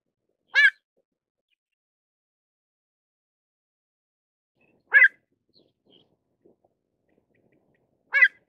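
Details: Pied avocet: three crisp, clipped call notes separated by long pauses of around four seconds, with nothing else audible.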